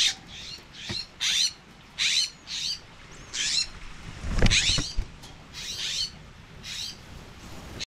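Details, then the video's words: Two California scrub-jay nestlings in a nest in San Mateo, California, on 23 May 2021, give harsh, hissing begging calls in quick bursts about twice a second, with a few low thumps and rustles. "Baby Scrub Jays in nest"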